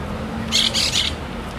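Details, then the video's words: Parrots in the city: three quick harsh, raspy squawks in close succession, bright and grating, over a steady low urban rumble. "Parrots in the city, ambience/ Papageien in der Stadt/ Papugi w mieście"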